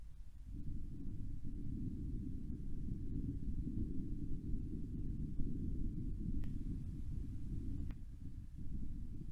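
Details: Low wind rumble on a windy night fills the recording, with a couple of faint clicks and no animal calls heard.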